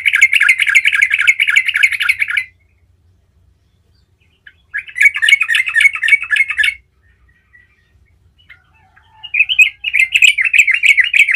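Yellow-vented Bulbul giving three bursts of fast, bubbly chattering song, each about two seconds long and separated by short silences.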